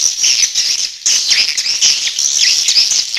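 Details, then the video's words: Grey-breasted prinia lure sound: very high, thin chirps and trilled twitters in a near-continuous stream, with a short pause around one second. "Suara Ampuh Memanggil Burung Waler Liar"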